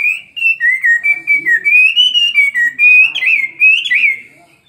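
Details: Caged Chinese hwamei of two years, in fighting song with tail spread: a continuous warbling whistle wavering up and down, broken into short connected phrases, ending in a few twisting rising notes.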